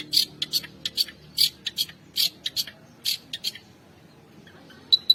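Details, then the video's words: Contest-winning long-tailed shrike singing mimicry-rich 'shot' variations to rouse silent rival birds: clipped, harsh, high squawking bursts in uneven groups, a brief pause, then two sharp final notes. "Cendet Gacor Full Isian Variasi Suara Tembakan, Pancingan Burung Pentet Bahan Stres Macet Agar Bunyi"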